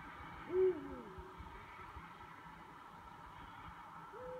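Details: Eurasian eagle-owls, two birds calling at night; a single short hooting call with a slight downward slide, then a second higher call starting near the end, over a steady low background hum.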